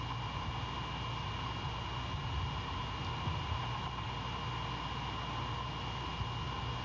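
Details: Constant low rumble and hiss with faint steady hum tones throughout a night recording, with no owl hoots or other animal calls audible.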